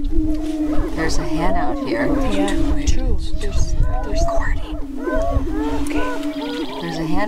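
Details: Lek of Greater prairie-chickens near Crookston in northwest Minnesota, 27 April 2013, performing the annual spring mating dance. A nonstop chorus of arched whooping cackles repeats rapidly above an unbroken low moaning boom.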